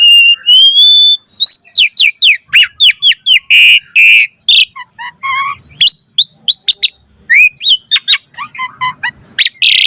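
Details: Asian pied starling in full song, used as a lure for caged birds: a level whistle, then rapid repeated chirps around two per second, harsh raspy bursts, and varied slurred whistles ending in a loud buzz.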